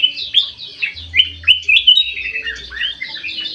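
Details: Golden bulbul of the white-eyed form in an aviary, singing actively: clear whistled chirps and quick slurred phrases in spaced bursts, with a low hum in the background.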